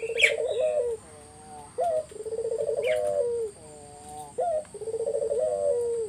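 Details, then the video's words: Spotted dove lure song meant to make other doves answer: repeated phrases of a rapid rolling trill ending in a drawn falling coo, alternating with short rising coos, roughly every two seconds, with occasional bright chirps from other birds. "Burung puter mana yang ga ikut nyaut kalo dengar GACORAN puter ini"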